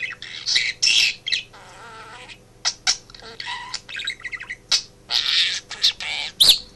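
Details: Pet budgie, male, chattering indoors in a home office during its owner's work; grating buzzy phrases and soft warbles alternating with short gaps, a sharp whistled note at the end, faint hum behind.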